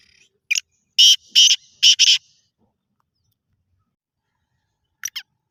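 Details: Black francolin call: one short note, then four rasping, grating bursts packed into about a second. After a long silence, two faint clipped notes return near the end.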